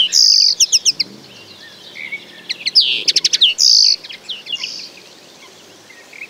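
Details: Common linnet in lively song, mixing rapid clipped chirps, quick trilled series and buzzy notes in irregular bursts, trailing into softer twitters.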